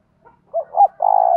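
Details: Spotted dove kept as a decoy, cooing in the thúc and gọi styles used to lure wild birds. Two quick rounded notes lead into a long, steady, slightly vibrating coo in a quiet setting.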